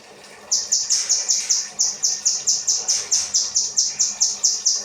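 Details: Kinoi 'rambatan' song used to train cage birds: after half a second of quiet, a long burst of shrill, rapidly repeated whistled notes, about eighteen in all, evenly spaced and slightly down-slurred.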